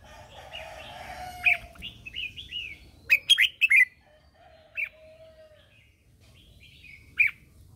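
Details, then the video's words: Red-whiskered bulbul lure bird singing during morning training to call others; short sliding whistled phrases, a rapid cluster of sharp notes near the third second, then scattered single chirps, over a soft low hum. "Chào mào mồi hót gọi bổi"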